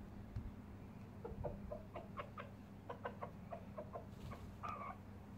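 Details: Lavender-coloured Pekin bantam chicken giving a run of short, soft clucks, roughly a dozen spaced irregularly over five seconds, some with a brief rising note near the end, over a steady low electrical hum.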